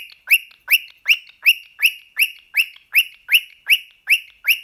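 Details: An excited male pet cockatiel calls at a sock in a steady series of rising, slightly raspy whistled chirps, close to three per second, evenly spaced throughout.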